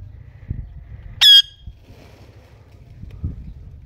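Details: Ringneck parakeet, pet bird in green or blue colouring. A single piercing, short screech stands out against a low rumbling background.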